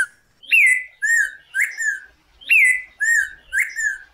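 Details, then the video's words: Golden-billed saltator song made of loud, clear whistles, each rising sharply then sliding down and levelling off, delivered in a steady series of about six notes with brief gaps. "Pepitero/Picahueso Canto - Golden-billed Saltator - Saltator Aurantiirostris"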